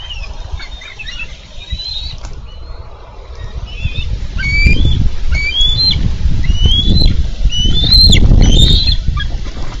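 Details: Bald eagles at a Minnesota nest on 4 July 2013, where the male delivers a carp and a young eagle wrestles the fish from another. High, thin whistled chirps come in quick bursts over heavy wind rumble and wing flapping.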